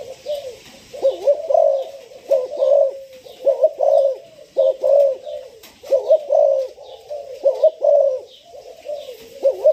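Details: Six-month-old spotted dove, a fresh decoy bird about to be trained, coos steadily in a long run of mellow, throaty phrases about once a second, each with a dipping, bubbling inflection, over light background chirping.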